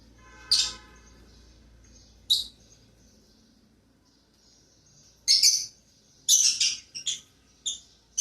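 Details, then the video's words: Pet lovebirds starting their day indoors give sharp, shrill chirps: two isolated calls early on, a quiet pause, then a tight burst of rapid high squeaks near the end. "Love Birds Starts their days"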